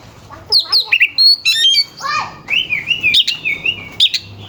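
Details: Oriental magpie-robin, a contest bird, giving rough sharp song meant to make rivals sing: high quick notes, a drawn whistle, then a run of repeated slurred whistles.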